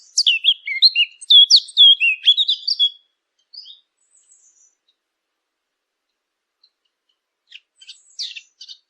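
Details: Bright bird chirping opens with about three seconds of rapid high, looping notes, then falls mostly quiet apart from a few soft scattered chirps late on.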